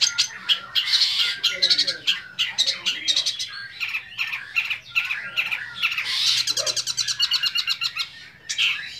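A young long-tailed shrike sings a fast, varied medley of scratchy chatters, squeaky whistles and rapid buzzy trills, with mimicked phrases packed closely together.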